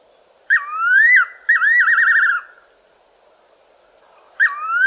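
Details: Fiery-necked nightjar calling at night from a tree in the southern Karoo: loud, clear whistled phrases, each a rising note followed by a wavering, quavering tremolo, repeated twice, with another phrase starting at the end, over a quiet background.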